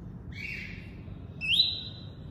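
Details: Double-collared seedeater singing in the tuí-tuí style: a short buzzy note, then after a pause a brighter rising whistle that flattens into a long, slightly descending buzzy tone. A low steady hum sits underneath.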